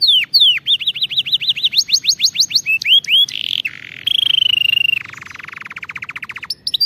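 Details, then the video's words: Singing canary used as a training model for correct song: varied tours of quick looping notes, a row of rising slurs, a rattling roll and a low buzzy trill in fast succession. "غناء كناري دمار لتدريب طيور الكناري 🐦 على الغناء الصحيح"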